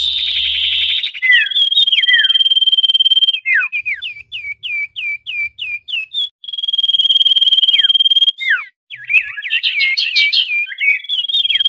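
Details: Common iora lure call, a busy, noisy version meant to draw down wild birds that are reluctant to descend: long level whistled tones alternating with runs of quick downslurred chirps and a fast jumbled twittering burst.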